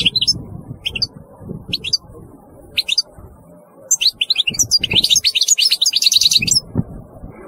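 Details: European goldfinch giving scattered high chirps at first, then breaking into a dense burst of rapid tinkling twitters, with low thumps and background noise.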